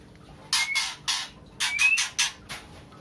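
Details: Female white-rumped shama in breeding condition calling to a male, giving two groups of loud, harsh rasping notes, each group carrying a brief faint whistle, against a quiet background.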